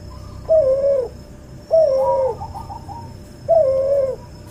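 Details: Hybrid cuhu dove bred from a white albino puter crossed with a puter pelung, in a tutor recording, giving three smooth, hollow coos spaced about a second apart, the middle one trailed by a short softer second note.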